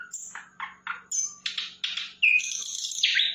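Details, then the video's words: Sikatan londo flycatcher in lively song: a string of short downslurred chirps at a steady beat, then a run of buzzy, rasping notes and a high sustained trill, with a faint low hum in the background. "Sikatan Londo Gacor"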